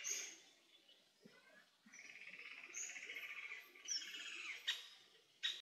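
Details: An Azure-winged magpie in Korea, raising its nestlings, gives harsh, rasping buzzy notes, one drawn out for over a second, with thin high squeaks in between.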